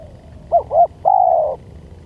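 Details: Spotted dove used as a lure, giving one phrase: two short, rounded, arching notes, then a longer, level coo that fades slightly at the end.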